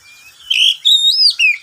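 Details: Pet oriental magpie-robin at midday giving a brief run of three loud, clear whistled notes, the middle one long and rising, the last falling.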